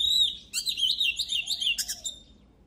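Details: Oriental magpie-robin singing for voice training to stimulate other birds. A clear sustained whistle leads into a fast warbling run of squeaky, slurred notes, with steady low background hiss.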